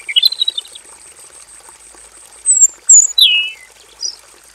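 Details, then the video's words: Caged robin in a simple aviary with a short warbled burst, a pause, then a cluster of bright descending whistles and one last high note. A thin continuous high tone runs behind it throughout. "KICAU SUARA MASTERAN BURUNG ROBIN GACOR FULL VARIASI"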